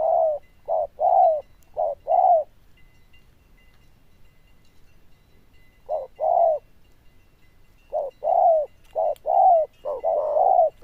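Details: Zebra dove with a loud, bell-like voice and fine cooing style. It gives clustered bursts of mellow coos separated by a pause of several seconds, ending in a quicker series of four coos.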